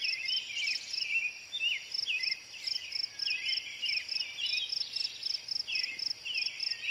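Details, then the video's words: Caroling song of the American robin, a string of rich slurred phrases with brief gaps, set against persistent rhythmic insect chirping. "American robin bird call / song / sounds"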